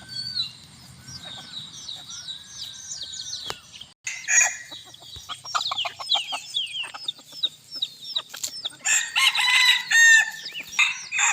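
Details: Hot evening in a bantam flock: many small chirps and clucks for most of the clip, then a loud ringing crow of several bursts near the end.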